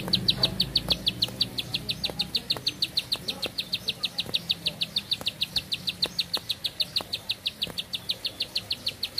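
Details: Bar-winged prinia with long breath: a very long, even run of rapid high chip notes, steady throughout, with faint low sounds at the start.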